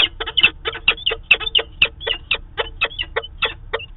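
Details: Peregrine falcon pair at their nest site in Manchester, New Hampshire, during a daily meeting on 2 September 2018, picked up by a live webcam: rapid harsh chattering notes, roughly four each second, loud and continuous.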